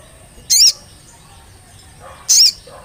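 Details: Olive-backed tailorbird lure recording meant to prompt singing: two loud, piercing high notes about two seconds apart, each short and slightly doubled, with only a soft hiss between them.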